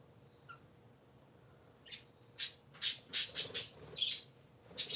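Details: Three little parakeets kept as pets start with faint isolated peeps, then break into a cluster of loud, rasping chirps in quick succession, indoors on a Sunday morning.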